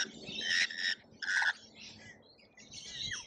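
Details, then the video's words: Lorikeets crowding a feeder in Australia give a few loud, grating screeches in separate bursts, followed by softer, scratchier chatter. "Colorful Chaos Lorikeets Feeding Frenzy"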